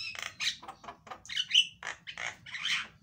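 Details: Loud, lively 'gacor' Javan myna song played to stir a silent myna into singing: a rapid run of raspy, chattering bursts with a brief sharp whistle in the middle, phrases coming about once per second against a faint low hum.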